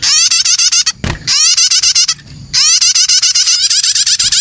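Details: Prinia (prenjak) young calling, used to lure other birds. Repeated fast chirps are strongly harmonic and rise slightly, broken by a loud click near one second and a short pause before the chirping resumes.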